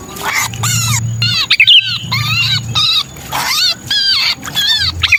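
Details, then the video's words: Harsh, buzzy, stacked squawks from a pinched sooty-headed bulbul, used as a lure sound for bulbuls, come in dense clusters with a short sharp whistled note between them; low rumbling background. "Suara pikat burung kutilang kejepit"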